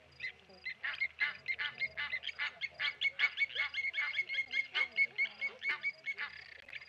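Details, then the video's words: Several blacksmith lapwings dive-bomb a tawny eagle at Okaukuejo waterhole, Namibia, giving a fast, continuous stream of harsh, metallic clinks, overlapping and irregular, some louder nearer calls, faint low rumble in the background. "Tawny Eagle dive bombed by Blacksmith Lapwings."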